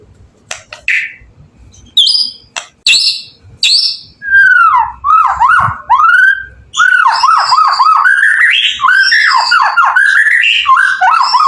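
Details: Singing white-rumped shama used as a lure for other shamas: a few scattered sharp notes, then a fast flowing series of looping, warbled whistles that grows continuous and loud.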